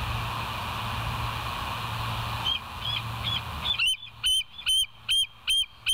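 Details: Bald Eagle recorded by a live nest cam at West End, 25 September 2023, 7:00 a.m.: faint distant piping at first, then a loud run of about six shrill, slightly rising whistled notes at an even pace.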